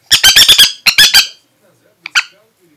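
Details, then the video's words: Aratinga parrot, described as angry, screeching a fast run of about six grating notes, then a short gap, three more, and two brief squawks after a quiet pause. "Попугай злится Angry parrot"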